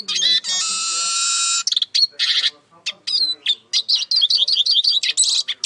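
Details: Opening with a long, harsh buzzing wheeze, this Eurasian siskin song continues with rapid chattering notes and a series of bouncy, rolling whistled phrases.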